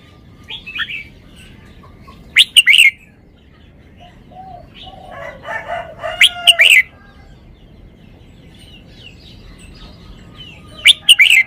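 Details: Red-whiskered bulbul kept in a cage shows off its song style: brief bright warbling phrases repeated several seconds apart, each a quick cluster of rich notes, with quieter chattering and low hum between bursts.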